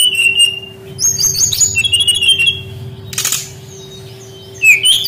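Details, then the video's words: Brown-chested jungle flycatcher song meant to coax young wild-caught birds into singing: thin sustained whistles and short warbled phrases, a burst of noise midway, and a low hum throughout. "SUARA BURUNG SRDC PANCINGAN PANGGILAN SRDC BAHAN MUDA HUTAN MALAS BUNYI"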